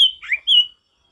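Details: Male ashy tailorbird in forest song: a high, flat whistle, a lower, warbled slur, then another long, high whistle, all within under a second.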